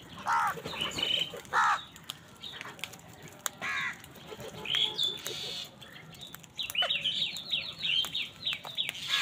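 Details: Crows squabbling with wild birds for food give two hoarse, layered caws at the start and another pair mid-way, followed by a run of quick, high chirps from the other birds.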